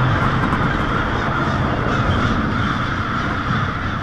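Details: Massed American crows, hundreds or thousands strong, roost noisily in Lansing, Michigan, on a February 2016 night. Rapid, overlapping caws form a constant clamour, with low rumbling background noise underneath.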